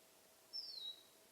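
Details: In summer, a finch gives one thin, high whistled note that slides downward over about half a second, against a faint steady background hiss.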